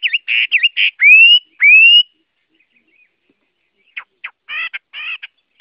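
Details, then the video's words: Chinese hwamei (Garrulax canorus) song phrase: quick looping notes, two long rising whistles, a pause, then short buzzy harsh notes. "Tiếng Họa Mi hót | The sound of the bird Garrulax canorus"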